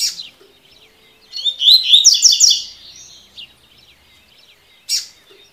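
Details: Double-collared seedeater in tui tui song: a high chip, then a vigorous, rapid phrase of repeated ringing, buzzy notes lasting about a second and a half, then one more sharp chip, over faint twitters.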